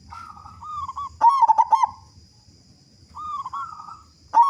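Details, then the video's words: Big-voiced local zebra dove singing briskly, meant to get other doves singing. Cooing lead-in phrases precede a loud burst of rapid throaty gurgles, then quieter coos and the start of another loud burst. A steady high whine continues throughout. "Perkutut Lokal Gacor Suara Besar Pancingan Burung Perkutut Agar Cepat Bunyi"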